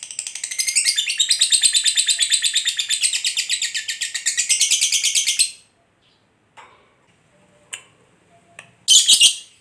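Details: Lovebird ngekek: about five seconds of rapid, high, scratchy chattering notes, then near silence with a few faint clicks and a short loud burst near the end.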